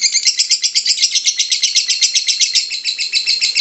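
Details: Lovebird song for prompting lovebirds to sing: lively, rapid chirping chatter of bright, scratchy notes, about four per second, unbroken across the clip.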